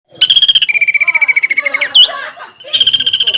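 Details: Greater green leafbird, a lively singer with a varied mimicked repertoire, singing a lure song meant to provoke a rival leafbird. It opens with a fast high repeated series, then a long steady pulsed note, a jumble of mixed notes, and another rapid high series.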